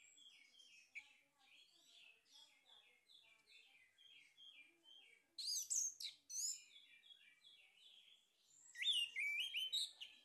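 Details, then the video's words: Singing male orange-headed thrush, played as a lure to stimulate singing: long strings of short repeated chirps alternate with two loud bursts of rapid, high, slurred and squeaky whistles. "PANCINGAN ANIS MERAH JANTAN PALING POPULER"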